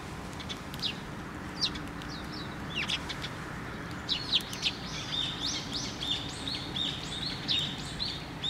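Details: Sparrows crowding a feeder on a post at a Tenmangu shrine, 24 June 2023: sparse tweets at first, then from about four seconds a dense run of overlapping high chirps from many birds.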